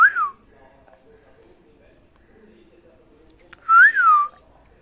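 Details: Parrot giving two separate arched whistles, rising then falling, with a long quiet gap between them.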